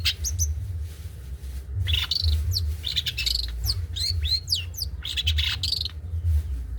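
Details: Long-tailed shrike of the trotol type, kept as a master bird for other songbirds to copy, delivering a busy run of harsh chattering and scratchy notes mixed with short sharp whistles, over a steady low hum.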